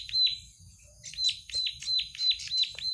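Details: Plain prinia delivering rapid, high descending notes around three per second, briefly overlapped by a second, slightly different chirping series before the steady repetition resumes.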